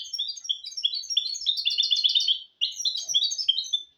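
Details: Caged goldfinch × canary mule bird in full song, used as a tutor for goldfinches and canaries; continuous high, fast twittering and trilled warbling with one brief break, clear and close.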